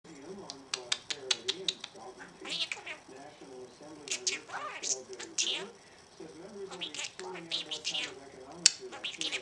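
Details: A male rescue budgerigar, recovering after losing his mate, talks in a thin, buzzy, rapid voice, mimicking phrases like "Mommy's gonna beep the boy", "thank you" and "kisses", broken by sharp clicks and chirps.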